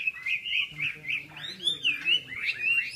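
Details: Short burst of red-whiskered bulbul song from a Long Bien club session, 27 April 2014: looping, fluty whistled notes in quick succession over a man speaking.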